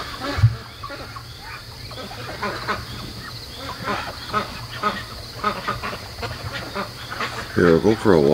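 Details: Night chorus of pet domestic ducks around 3 AM, 73 days into raising them; scattered short quacks and mutters throughout, with a human voice speaking at the very end over a steady hum.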